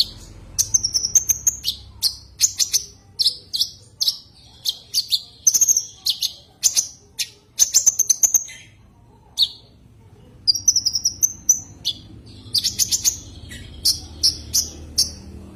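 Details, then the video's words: Common iora calling out to a rival, giving bright, high-pitched chirps and brief whistled phrases in clustered bursts, separated by short pauses, with a quiet spell midway before rapid chirping resumes. "Suara kicau Burung konin memanggil lawan"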